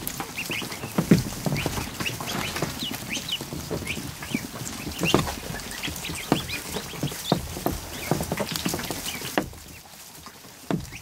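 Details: More than a hundred freshly hatched ducklings in a barn kiddie pool during the afternoon, giving a busy chorus of thin high peeps amid irregular splashes and knocks, fading quieter near the end.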